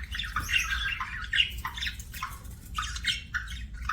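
Budgerigar chatter: a busy run of short, scratchy chirps and warbles at mid to high pitch, uneven and overlapping, over a low indoor hum.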